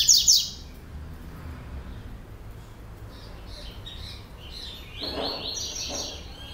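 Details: Rusty-collared seedeater from a breeder's stock, singing the procurador song style: a short sharp doubled note opens, then after a quiet pause come high, clipped warbled phrases, with faint low background hum.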